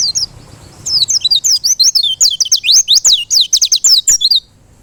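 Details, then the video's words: White-eye singing a fast, lively run of high, sharply sweeping whistled notes, repeated in quick succession for about three and a half seconds with no other sounds. "LANGSUNG BUKPAR DEGAR SUARA PLECI INI"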